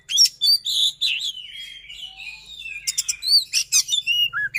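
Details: Kept white-rumped shama singing a run of sliding whistles and a long, wavering warble, followed by a quick series of sharp, high chipping notes; a faint low hum sits underneath.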